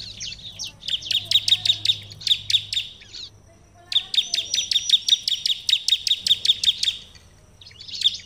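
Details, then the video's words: Bar-winged prinia in full song, two fast bursts of sharp, high chips of roughly a dozen notes each over a faint low hum, offered as a call that other prinias will answer. "ciblek lain akan langsung nyaut gacor dengan suara ciblek gacor ini"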